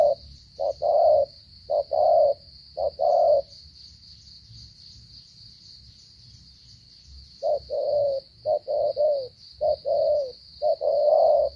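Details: Spotted dove, Cà Mau, Vietnam, in a stuttering coo. A burst of short-long low coos, a silent gap of about four seconds, then another stammering series of clipped coos, over a continuous high-pitched whine.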